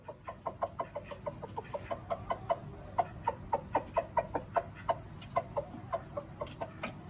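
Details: Rooster giving rapid, evenly repeated clucking notes, roughly four per second, that continue steadily for seven seconds over a low background hum.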